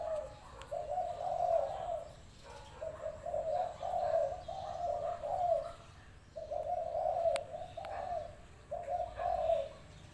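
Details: Energetic spotted dove in a cage, used as a decoy to lure wild doves into a trap pen, repeating low, burry coo phrases of two or three linked notes, with short breaks between bouts in a quiet rural setting.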